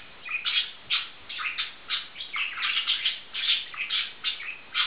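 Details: Two male budgerigars that are fond of each other warble busily, with rapid overlapping chirps and squeaks coming in close bursts, several per second, with no pauses.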